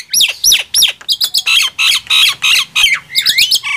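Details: Nias hill myna and black-winged myna singing loudly in contest: three looping downslurred whistles, then a burst of rough, grating squawks and a rising whistle at the close.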